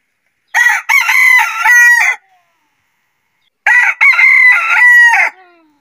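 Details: A rooster crows twice in daylight, about three seconds apart, each crow a loud, raspy, multi-part call lasting roughly a second and a half, opening with a short burst and ending in a long held note; background otherwise silent.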